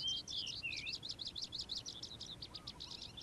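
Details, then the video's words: Calandra lark singing in the morning: a fast, dense jumble of high chirps and short trills, with a clear downslurred whistle near the start, delivered continuously without pause. "Calandra Lark Bird Singing In The Morning"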